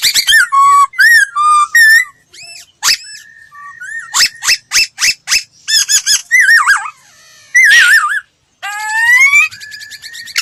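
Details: Laughingthrush in voice training delivering a varied song: short whistled slurs, wavering warbled notes, sharp clicking bursts and a rising strained whistle near the end, with brief pauses between phrases.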